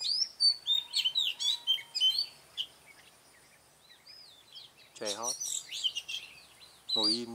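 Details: Red-whiskered Bulbul at a trapping site on 20 June 2018: quick high chirping phrases in the first two seconds, a quiet pause, then more bright notes, with two lower, harsh, ribbed calls cutting in near the end.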